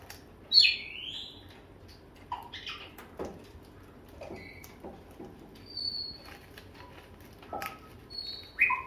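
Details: Pet grey parrots vocalizing indoors. Sharp high whistles and squeaks, some of them sliding down in pitch, mix with short, lower, voice-like bursts over a steady hum of room noise.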